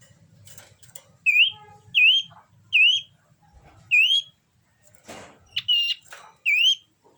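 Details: Common iora in breeding condition gives a series of clear, rising, hooked whistles roughly every three quarters of a second, with a short noisy burst near the end.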